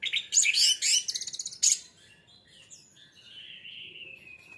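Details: Orange-headed thrush lure song for getting birds to sing quickly: a fast, loud, very high trilled and chattering series, a sharp final note, then a softer drawn-out falling whistle.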